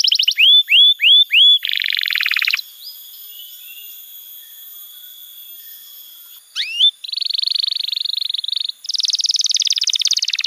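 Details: Canary master song for teaching young canaries: fast high trill, four ringing curved whistles, a buzzy rattle, soft twittering, a quick upsweeping flourish, then long, rapid rolling trills of different timbres.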